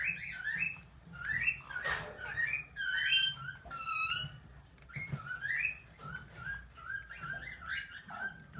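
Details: Tame plum-headed parakeet mimicking speech in a small room: rapid run of chirpy word-like syllables and whistled notes, some stacked and warbling, delivered continuously with slight pauses.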